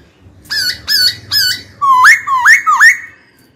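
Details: White-cheeked laughingthrush kept in a cage, singing to summon a rival to fight: three short bright two-part notes, then three upswept whistles in quick succession over low background hum.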